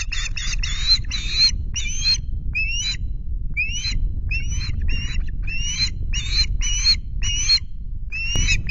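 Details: Osprey at its nest with chicks at Loch Garten in Scotland, recorded in July; a series of short, high, rising whistled chirps repeated rapidly in bursts about every half second, over steady low wind rumble.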